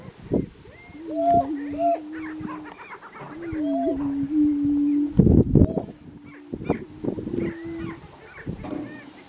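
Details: Colorado grouse on a lek in 2023: loud, low, drawn-out hooting tones overlapping, with short rising whoops and cackling notes above, plus several sharp thumps or clatters.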